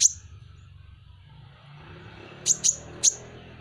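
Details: Kolibri ninja, or Van Hasselt's sunbird, calling with piercing high notes. One sharp chip opens the clip, then a quiet gap, then three more thin chips in quick succession, over faint low rumble.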